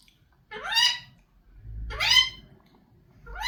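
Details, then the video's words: A talking Indian ringneck parakeet gives three rising, rich-toned, speech-like utterances, each under a second long and spaced over a second apart, over a faint low room hum. "Talking indian ringneck parrot"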